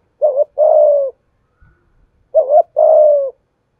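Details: Spotted dove lure bird in the 'giọng thổ' voice, kept for provoking and training new doves, utters two phrases: a short dipping double coo followed by a longer steady coo, with a few soft knocks in the pause.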